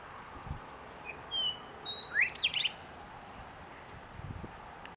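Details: A Western Meadowlark in Helena, Montana, gives two clear, flute-like whistles and then a quick, gurgling jumble of notes, over steady high insect pulsing.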